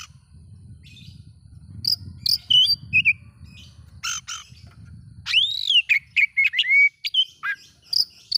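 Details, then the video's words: Oriental magpie-robin singing to provoke rival magpie-robins: scattered sharp chirps and short whistles over low rumbling noise, then a loud arched whistle followed by a rapid string of varied slurred whistled notes. "bikin Kacer Lain ikut emosi coba buktikan dengan suara ini"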